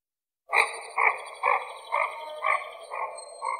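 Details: Common goldeneye repeating a hoarse, nasal croak about twice per second, seven times in a steady series. A faint high steady tone runs in the background.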